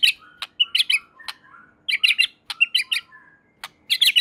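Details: White-rumped shama in lively full song said to set other shamas singing: bursts of sharp high chirps and short whistled notes in quick clusters, separated by brief pauses, with faint lower whistles between.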